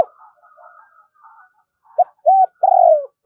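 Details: Caged decoy spotted dove giving its two-ending double-voice call to draw in other doves: faint soft chatter, then two clipped coos, an arched coo and a long drawn-out downslurred note, another coo starting at the end.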